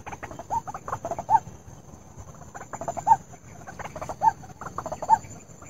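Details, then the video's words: White-breasted waterhen (ruak-ruak) lure call used for trapping: repeated harsh, nasal mid-pitched croaks in loose groups, with a steady faint high electronic whine throughout. "SUARA PEMIKAT RUAK-RUAK TERBARU & AMPUH"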